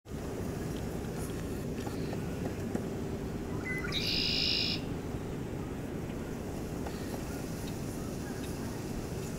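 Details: Red-winged Blackbird at Oak Orchard Wildlife Management Area, New York, gives one short clipped note followed by a harsh, buzzy trill lasting under a second, over a steady low rumble of wind or distant traffic.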